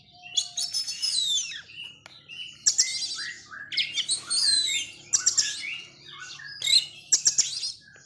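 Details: Oriental magpie-robin, described as a raging 'forest devil' kacer, singing loud bursts of varied whistled and buzzy phrases, high and sharp, repeated every second or two with short pauses, over a faint low hum.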